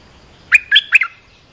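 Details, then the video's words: Bubbly triple-note call of an olive-winged bulbul, used to train young birds and call in wild birds. The notes are quick and rich, the last one falling away in a brief double slur. "เสียงนกดอกแตงEp.248 เปิดหัดลูกเสอ ลูกใบ้ เสียงเรียกนกป่า Suara pikat merbah lekir gacor"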